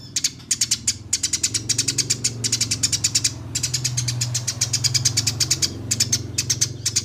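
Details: Eurasian tree sparrow in a fighting, rolling 'ngeroll' masteran song: long, dense trains of sharp, bright chirps repeated rapidly almost without pause, with a steady low hum underneath.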